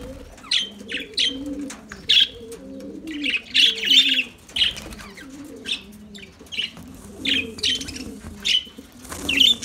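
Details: Lovebirds singing: sharp, high chirps in short bursts, some in quick pairs, scattered through the recording, over a steady low cooing like doves in the background.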